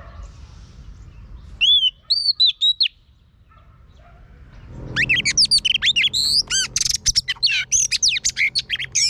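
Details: Female Oriental magpie-robin singing to train and stir a male: a few loud arched whistles around 1.7–2.9 seconds, a pause, then a rapid, varied run of sweeping whistles and sharp chirps with a faint low hum beneath.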